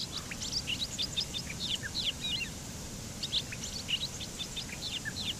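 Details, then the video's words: Bobolink song: a continuous, bubbling jumble of short tinkling, metallic notes, high and rapid, tumbling over one another throughout, over a steady low background rumble. "Canto del Charlatán"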